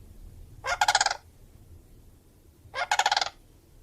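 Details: Crane giving two brief rattling, rolling calls about two seconds apart over a low background hum.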